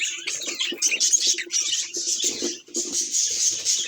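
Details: Pet budgerigars chattering nonstop: a dense mix of high twittering chirps, warbles and scratchy notes, with faint lower clicks and rustles underneath.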